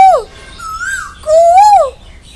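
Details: Asian koel calling up close, a loud clear whistled kuuu: a short falling note, a higher drawn-out wavering whistle, then a long rising and falling whistle in a small quiet space.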